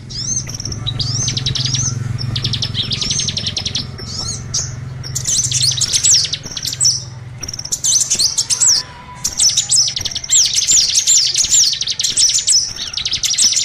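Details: Small-bird lure call: dense, continuous high chirping and twittering, with rapid trilled bursts overlapping almost without pause, over a steady low hum.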